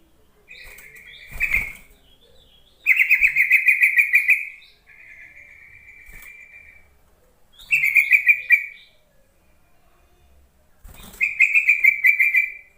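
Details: Yellow-vented bulbul luring call for bulbuls that are slow to sing: four loud, rapid bubbly chatters separated by softer buzzy trills, repeating every few seconds.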